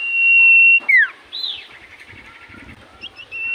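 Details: Common iora in full voice, a song said to make any other iora answer at once: a long loud steady whistle, then a sharp falling slur and softer warbled notes, ending on a fresh whistle.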